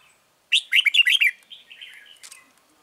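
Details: Red-whiskered bulbul used as a lure bird in a trap for wild birds, giving a loud burst of five or six rich, warbled notes, then a softer chattering trailing phrase and a brief sharp note.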